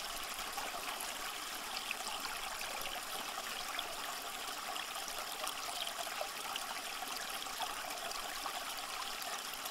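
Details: Steady rushing, trickling water like a small stream fills the whole stretch, with no animal voices heard.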